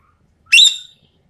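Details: Sumatran common green magpie on a lure recording giving a single loud whistled note, bright and metallic, held briefly before fading, in an otherwise quiet background.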